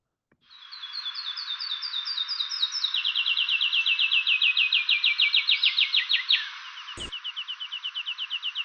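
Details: Song of the endangered Whistling Warbler, endemic to St. Vincent's forests: a long rapid series of clear whistles starting high, stepping lower and speeding up, ending in a slower repeated phrase.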